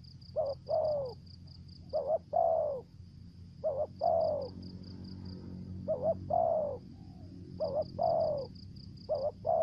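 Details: Spotted dove lure bird, Trà Vinh, Vietnam, singing 'thổ dế' voice with 'dập' and 'mai rừng' style: six phrases, each a quick double note then a drawn-out descending coo, over a steady pulsing shrill whine and low hum.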